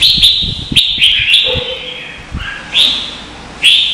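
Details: Red-whiskered bulbul contest singing, Vietnam: short clear whistled notes with sharp starts, one lower drawn-out whistle midway, then bright phrases resuming, light clicking in the background.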